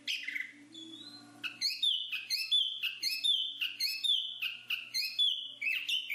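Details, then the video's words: Black-capped babbler (pelanduk topi hitam) opens with a soft, drawn-out whistle, then breaks into a steady series of short, loud, clipped whistled phrases about three per second, each ending in a sharp downward slur. "BURUNG JONGKANGAN/Black-capped Babble"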